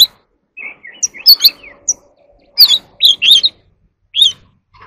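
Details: Oriental magpie-robin in a singing contest: scattered whistled notes and short warbled phrases separated by pauses, some sharp high chips, with a faint steady low hum behind.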